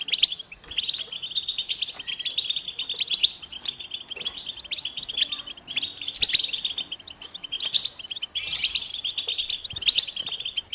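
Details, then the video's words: European goldfinch song: a long, dense stream of high, bright twittering chirps and tinkling notes, almost continuous, with quick trills and no pauses. "Goldfinch motivating songs soothing tones for birds"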